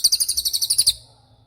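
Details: Racket-tailed treepie giving a tembakan burst, a rapid run of about eleven sharp, high, evenly spaced notes lasting under a second, then fading to quiet; recorded as tutor material for white-rumped shamas and other songbirds.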